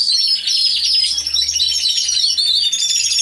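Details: Several canaries singing in an aviary, hidden camera recording: a short burst of dense, high, rapidly repeated trills and thin whistles, with a faint low hum underneath.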